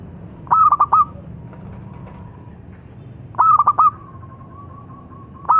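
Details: Song of a local zebra dove (perkutut): staccato four-note coo phrases, one followed by a long, even, drawn-out trailing tone, then another phrase begins at the end.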